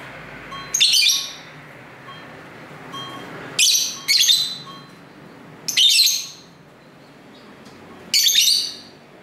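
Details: Lovebirds kept at home, chattering together, recorded with a camera's internal microphone by a main street: five bursts of shrill, scratchy chirps spaced one to two seconds apart, with faint street noise beneath.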